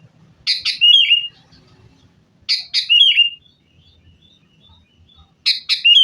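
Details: Sooty-headed bulbul fighting lure song for caged birds: three phrases roughly every two and a half seconds, each a pair of raspy notes then a bubbling downward whistle, with faint low background noise.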